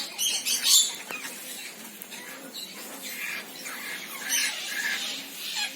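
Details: Senegal parrot producing rasping squawks in short bursts, with quieter scratchy chatter between louder calls.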